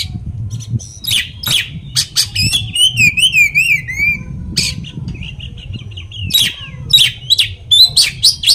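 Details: Oriental magpie-robin song meant to provoke rival magpie-robins: sharp clipped chips and rasping notes, a long rolling warbled whistle in the middle, then quick buzzy bursts and brief sweeping whistles.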